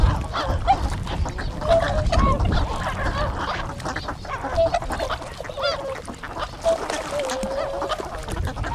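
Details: Tundra swans gathered on a river at their arrival site in Kawajima, Saitama, Japan, 4 February 2017; scattered short nasal hoots and a longer drawn-out call, separated by pauses, against broadband rustling and low background noise.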